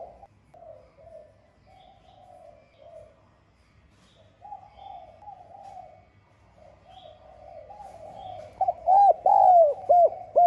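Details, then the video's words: Spotted dove gives soft, low, bubbling coos in steady runs, then louder, clearer, rounded coo notes near the end; a recording used to stimulate caged doves to coo. "Tiếng Cu Gáy GIỌNG SON [ GÁY GỌI - THÚC ] GIỌNG HẠP BỔI"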